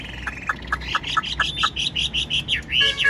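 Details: Chinese hwamei kept as a cage bird, 95% tame with a spread tail, singing without pause. Bright notes repeat rhythmically several times a second, ending in sharper rising-falling whistles.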